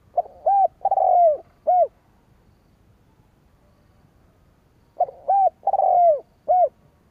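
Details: Two spotted dove lure phrases, meant to bring in rival doves, sound about five seconds apart. Each has a short coo, an arched coo, a long stuttering falling coo and a clipped final note, with silence between phrases.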